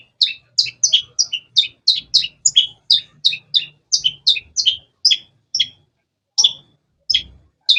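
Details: Long-tailed shrike chirping rapidly: a fast, energetic series of about twenty sharp two-part notes, each a high note falling to a lower one, slowing to scattered chirps near the end.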